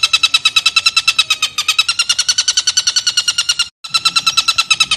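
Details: Stork-billed kingfisher giving its long laughing 'ngekek panjang' call, used as a training tape for lovebirds: a loud, fast, steady run of ringing, harsh notes at about three per second, with one brief break near the end.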